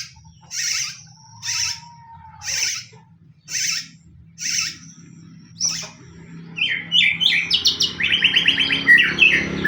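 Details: White-rumped shama lure song of a fighting bird, played to provoke other shamas into singing: five evenly spaced buzzy high notes about every 0.6 seconds, then a rapid burst of varied chattering and trilled phrases with a steady low hum beneath.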